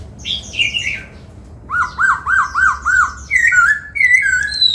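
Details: Laughingthrush in training for the "bắt cô trói cột" song, performing a dancing song: descending slurred whistles, then five evenly spaced looping notes, followed by bright falling two-part phrases.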